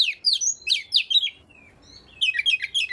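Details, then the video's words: Quick Oriental magpie-robin phrases to draw other magpie-robins into song: fast downslurred whistles, a trailing thin note, brief quiet, then a renewed rush of high twittering. "burung Kacer yang males bunyi pasti ikut gacor 100%"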